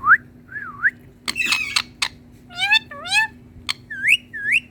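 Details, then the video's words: Hand-tame Indian ringneck parakeet, green, talking to its reflection: wavy whistles, a scratchy noisy burst, then rising harmonic squeaks and clicks repeated in short phrases. "Handtame Indian Parrot🥀Talking To Mirror"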